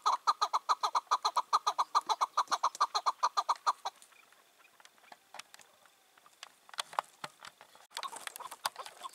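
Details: Chukar partridge calling in the evening, 4 June 2023; a wild bird released two years earlier, aged five or six, that drives off other males: a fast, even burst of clucking chuck notes for four seconds, then quiet with scattered noises.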